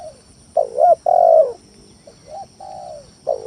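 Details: Spotted dove (tekukur tanah) lure song meant to provoke rivals: loud double-noted coo then a long falling coo, followed by softer, more distant answering coos.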